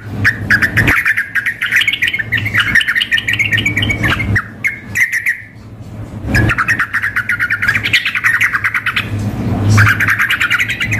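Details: Sooty-headed bulbul, female calling the male mixed with a vigorous singer in a simulated contest; rapid buzzy chatter in long runs, a brief gap near the middle, then more chattering, constant low hum.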